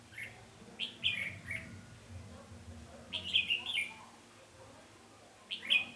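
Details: Red-whiskered bulbul decoy used to lure wild birds, 20 November 2015: three bursts of fast, bright, chattering whistles spaced a few seconds apart, against a quiet low hum.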